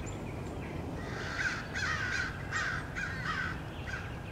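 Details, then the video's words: Several American crows harass a male bald eagle at its nest, 30 March 2016; rough, hoarse caws repeated in an uneven series of about six, steady outdoor rumble behind. "Crows attack"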